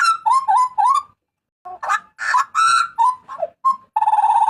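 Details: Papuan butcherbird with its distinctive loud, piercing cry, used to train cage birds: a few rising notes, a pause, then coarse buzzy blasts and a steady nasal tone at the end.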